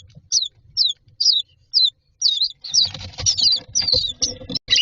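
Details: Common myna chicks standing in a nest box waiting to be fed give spaced high squeaks, then a burst of louder chattering begging amid loud scraping and fluttering commotion.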